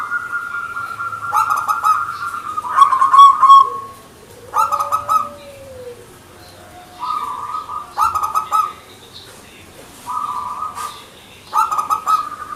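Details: Local zebra dove (perkutut) in energetic manggung singing: repeated phrases of held coos and rapid stuttered bursts, about every two to three seconds, with a low sliding coo heard once early on.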